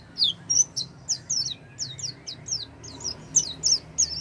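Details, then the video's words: Oriental white-eye song used to coax a silent bird into song: rapid series of high, thin, downslurred notes, about three per second, evenly spaced with a faint low rumble beneath. "pancingan pleci macet bunyi dengan suara ini"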